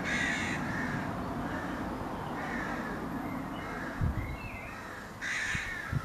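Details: Crow recorded in May 2022, one loud rasping caw at the start and another near the end, with fainter distant caws between them over low rumbling background noise.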